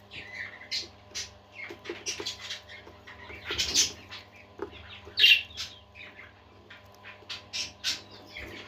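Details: Budgerigars trade quick chirps, squeaks and short warbled phrases in uneven bursts, with a harsh louder squawk just past midway and soft rustling, over a constant low hum.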